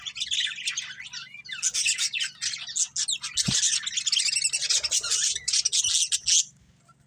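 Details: A breeding pair of budgerigars chattering continuously, a dense mix of rapid scratchy chirps and squeaks, over a steady low mechanical hum.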